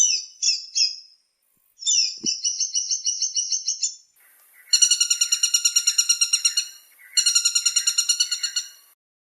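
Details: Woodpecker calls from a combination of three woodpecker sounds used as master calls for training magpie robins: a few short high notes, then rapid even trills of clipped piping notes, the last two long rattling series in bursts.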